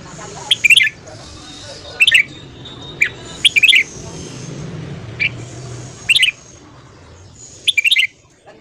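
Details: Red-whiskered bulbul in intense morning song: a run of short, sharp chirped phrases, some single notes and some quick triplets, coming roughly every second over a faint hum and a high steady hiss.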